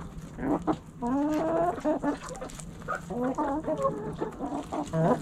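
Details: Backyard hens clucking steadily: strings of harmonic, slightly wavering clucks, some long and sliding, others short and rapid, with one constant low hum beneath.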